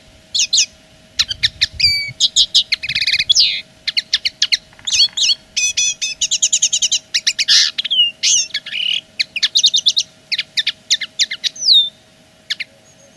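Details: A common linnet claiming territory with long, continuous song: rapid varied twitters, clipped chirps, short buzzy rattles and trilled bursts strung together almost without pause, over a faint steady hum.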